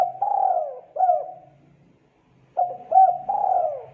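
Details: Spotted dove in full, lively song, played to teach young doves to join in. Mellow coo phrases with a long sliding middle note and a hooked coo. A faint low hum sits underneath, with a gap between phrases.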